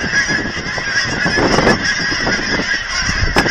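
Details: Thousands of geese at an aquatic center in Hereford, Texas, clamoring while visitors feed them; a steady mass of overlapping honking calls with a few louder cackles rising from the crowd.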